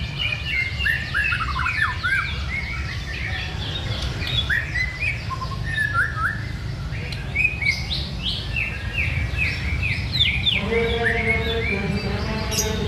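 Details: White-rumped shama pouring out a fast, dense song of rapid whistled and chipping notes in varied phrases. Near the end a lower, rhythmic stuttering series joins in, all over constant low background noise.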